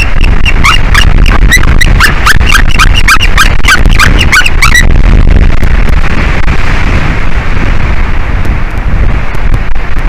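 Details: White-tailed eagle pair at a nest with eggs, 12:13 pm on 9 April 2021; the male calls from the top branch of the nest tree as the female calls at an unwanted intruder in their territory. A rapid run of squeaky, yelping notes lasts about five seconds, then steady rumbling noise.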